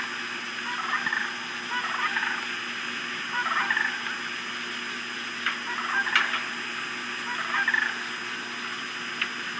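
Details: Cranes calling, captured by a nest webcam on September 5, 2017: repeated bursts of rough, rolling calls, roughly every one to two seconds, rising above a steady murmur of more distant calling birds.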